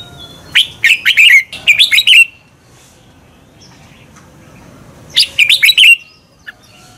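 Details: Competition-stimulating morning song of a red-whiskered bulbul in the double-twist voice: two close phrases of fast, liquid whistled notes, then a gap of about three seconds before another similar burst.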